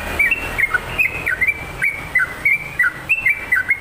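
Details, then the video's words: Sooty-headed bulbul, a lively singing bird, giving a rapid run of clear whistled notes, each dropping from high to lower pitch, several per second in a steady chattering phrase over a faint hiss. "SUARA TRUCUKAN GACOR"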